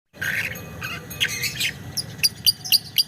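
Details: Lovebird kept as a young trainer bird, singing a long chattering ngekek: harsh squawky bursts followed by a series of short high chirps about four per second.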